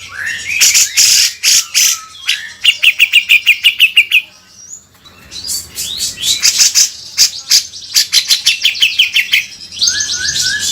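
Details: Grey-cheeked bulbul singing a loud, rough gacor beset kasar tutoring song: harsh broadband rasping bursts in rapid strings, mixed with short whistled phrases and a fast run of sharp repeated notes.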